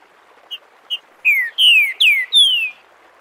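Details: Green-winged saltator (Saltator similis) singing the "Bom dia seu Chico liso" dialect, recorded live for teaching chicks: two short soft notes, then four loud clear whistles, each sliding downward, in quick succession over a faint steady hiss.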